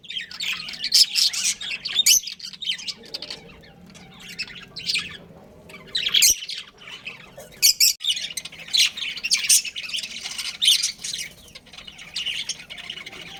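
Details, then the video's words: Breeding pair of budgerigars producing irregular bursts of high chirps and squawky chatter alternating with quieter moments, plus a sharp click partway through. "Budgies Chirping Sounds"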